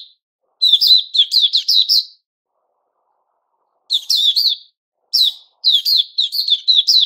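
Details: Rapid burst of crisp, repeated notes from a white-crowned shama in new feathers, a long silence, then further quick trilled phrases of ringing whistles.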